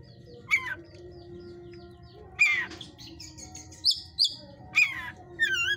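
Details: Hot-type white-rumped shama in a breeder's cage giving spaced sharp downslurred calls and a couple of high whistled notes, with a short twittering phrase at the end and constant low hum.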